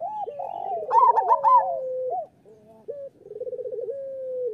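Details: Local zebra doves singing a master song for training: several birds overlap in strong rolling coos and drooping trills, then go briefly quiet before a beaded trill starts again.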